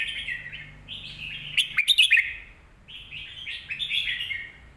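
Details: Red-whiskered bulbul kept in a cage, its song used to teach young birds; rich warbling phrases at a steady pitch, interrupted midway by a burst of sharp chirps and clicks, then more flowing whistles.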